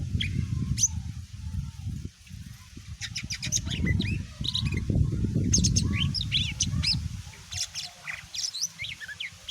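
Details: Greater green leafbird song meant to stir other birds to answer: scattered bright chirps and quick whistled slurs that grow busier midway, over a loud, steady low rumble of background noise.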